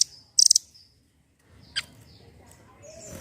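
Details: Velvet-fronted nuthatch, sound meant to set silent birds singing: a quick stuttering burst of high sharp notes, then thin descending whistles and a faint chip.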